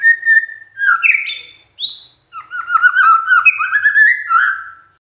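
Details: Song of a magpie-robin used to trigger replies from others of its kind: a sustained whistle, a fast upward slur and high downslurred note, then a busy rolling warble of rapid chirps.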